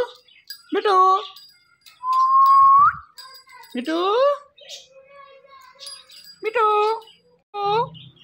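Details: The talking Indian ringneck parakeet mixes "Mitthu"-like syllables with a long, steady whistled tone that rises at its end, followed by more short repeated voice-like calls.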